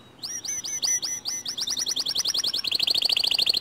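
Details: White canary singing a lure song to make other canaries sing: repeated hooked whistles speeding up into a fast trill that rises into a higher, rapid chattering roll.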